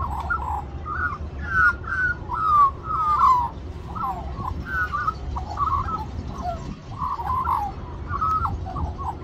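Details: Wild magpie in an Australian reserve singing continuously to beg for more mango; flowing carolling phrases of slurred whistles and gurgling notes, loud then softer, with a low rumble underneath.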